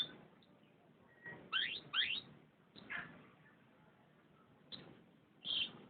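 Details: Canary giving sparse song phrases: paired steeply rising whistled sweeps, a downward slurred note, then scattered short high chirps separated by quiet gaps.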